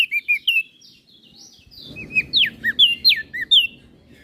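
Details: Crested white-eye from Flores singing energetically as a training master: a few quick whistles, a short quiet gap, then a rapid string of loud swooping and looping notes over soft low noise.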